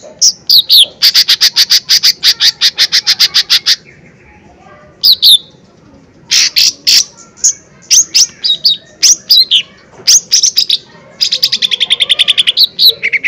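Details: Lesser green leafbird giving hard-hitting 'tembakan' phrases meant to stir rival birds into responding: long rapid trills of sharp repeated high notes, a short quiet gap, then choppy bursts of loud chirps and a fast final rattle.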